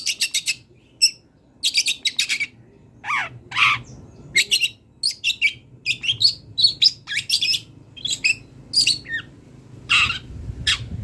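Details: Wild long-tailed shrike delivering a full, varied song for training songbirds: rapid trilled chatters, harsh downward notes and squeaky whistles in close succession, light background hum.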